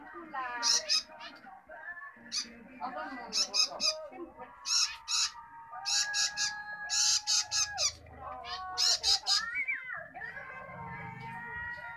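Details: Begging of a young long-tailed shrike during feeding: bursts of rough, hissing squawks in clusters, over a background of drawn-out tonal notes and voice-like sounds.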